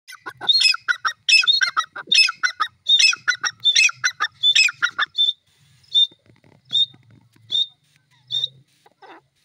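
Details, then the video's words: Grey francolin, locally called teetar, calling: a fast run of loud, harsh, shrill rhythmic phrases for about five seconds, then slower single piercing notes spaced roughly every second, fading out. "teeter bird calling,grey francolin bird voice"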